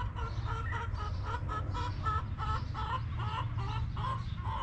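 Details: Backyard hens clucking while relaxing in their coop: a steady run of short, nasal clucks, about three per second, over a low, constant hum.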